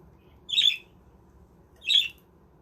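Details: Pet budgerigars in a handmade budgie village enclosure give two loud, raspy squawks about one and a half seconds apart, with low background hum.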